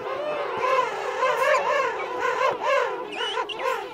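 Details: Adult King penguins calling close by in a mixed colony of adults and chicks at Right Whale Bay; loud wavering, bugling calls pulsing roughly once a second, several voices layered.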